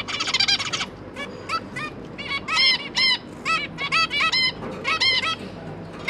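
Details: Zebra finch parents with three newly hatched juveniles, busy feeding them; a series of loud nasal honking calls in clusters, strongly harmonic, spaced by brief pauses, with a low hum behind.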